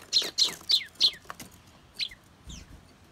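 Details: Eurasian tree sparrows that suddenly start squabbling over food give sharp, high chirps in a quick burst of four, then a couple more after a pause.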